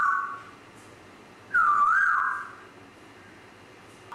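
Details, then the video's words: Whistling grey parrot: a short steady tone, then a louder wavering whistle that dips and rises over about a second, then a brief note at the end. "GRAY PARROT"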